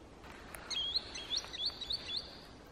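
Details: A Green sandpiper in Kaluga region, Russia, gives a quick run of about eight high, clear whistled notes over a second and a half, with a faint hiss behind.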